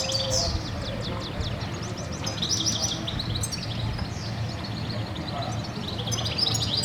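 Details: Corsican goldfinch, a European goldfinch subspecies long kept in captivity for its trilled song, recorded in Sicily, Italy. A bright, high twittering song of quick trills and chirps runs throughout, with a faint low hum underneath.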